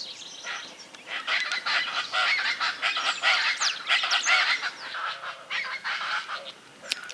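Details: Chaco Chachalaca, locally charata, seen in Córdoba, Argentina, in 2022, undisturbed by the observers nearby, giving loud, harsh, nasal calls repeated in a fast rhythmic chatter that swells and fades over several seconds.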